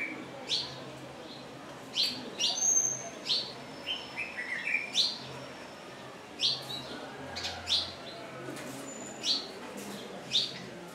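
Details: Wire-tailed swallows (Hirundo smithii) on a lodge roof in Pangani, Tanzania, give sharp, high chirps, singly or in quick pairs, about once a second, over a faint low background hum.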